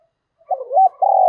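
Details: Spotted dove decoy bird, praised for a fine voice despite its plain looks, giving a calling coo: a low soft lead-in, a short wavering note, then a sustained, slightly vibrating low coo cut off at the end.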